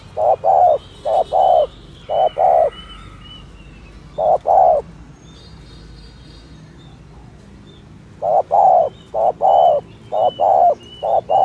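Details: Spotted dove repeating its 'thổ thúc gù' coo, a style used for luring doves: bursts of paired low coos, a long pause with a single pair, then a fresh run, over a soft background hiss and distant chirps.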